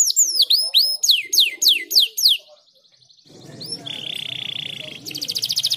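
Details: Canary singing vigorously for a therapy recording: a series of sharp, descending whistled sweeps repeated about twice a second, a short pause, then a sustained buzzy tone and a rapid pulsed trill. Soft low murmur underneath.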